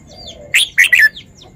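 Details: Red-whiskered bulbul, a caged bird showing its singing style, utters a quick bubbly three-note phrase ending in a downward slur, with faint softer chirps before and after.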